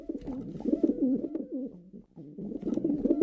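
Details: Male pigeon cooing: a run of low, throaty, rolling coos that rise and fall, broken by a short pause near the middle before the burbling resumes, in a quiet indoor-sounding space.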